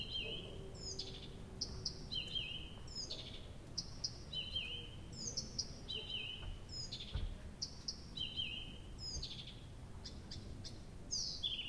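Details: All-night singing of a nightingale at Abramtsevo, start of June, taped from 23:00 on 6 June 2021: a dense run of repeated high whistles and downward-sliding notes every second or so, with a low rumble of background noise.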